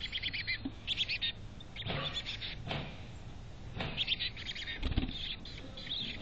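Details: Chickadees inside a nest box in North Vancouver give bursts of shrill, tinny chirping separated by pauses, with several dull knocks and scraping sounds and low hum throughout.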